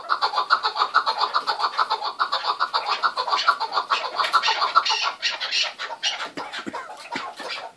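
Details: Chukar partridges in a keklik hengamesi, a noisy calling chorus: dense, harsh, rhythmic chuckling calls repeated about twice a second, overlapping voices forming a continuous clamor.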